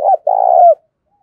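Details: Decoy spotted dove cooing in a daily dueling session meant to lure wild doves, voice style described as thổ: a brief low cooing phrase of a short note, then a longer, steady, hollow coo that falls slightly at the end.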